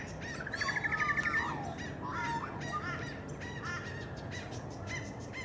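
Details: Sunshine Coast, Queensland, June 2023: an Australian magpie (Cracticus tibicen) starts with a fast, even pulsed trill, then carols in throaty, warbling swoops and brief clipped notes, with a constant low droning background.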